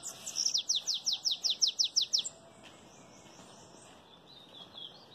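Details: A sibite, or bananaquit, sings a belga chapado phrase: about eleven quick, high, downward-sweeping notes in even rhythm, then fading to faint, thin high twitters over a quiet background.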